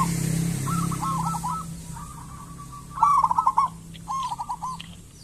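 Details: Local zebra dove singing briskly, used as a lure to make other zebra doves call: repeated rolling, trilled coo phrases of bubbling notes, one phrase louder than the rest, over a steady low hum.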